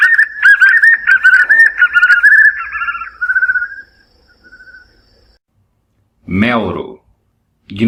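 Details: White-eared Puffbird, called joão-bobo, from the Brazilian Cerrado: quick repeated whistled notes with buzzy overtones, fading into softer drawn-out whistles, then a brief burst of a different, lower warbling sound near the end.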